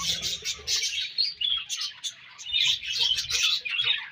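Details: Budgies in breeding season chatter in pulsing bursts of high chirps, with short whistled squeaks over a faint low hum and a brief lull halfway through.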